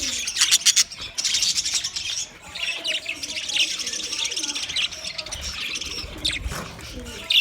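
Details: A group of budgerigars twitters nonstop, giving bright rapid chirps and scratchy squawks that open loudly, then settle into steady high chatter.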